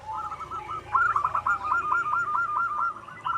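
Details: Wild local zebra dove singing, used as a lure for other doves: a long run of rapid rolling coos around one pitch, repeated in a steady stuttering chain, with quieter lower coos beneath.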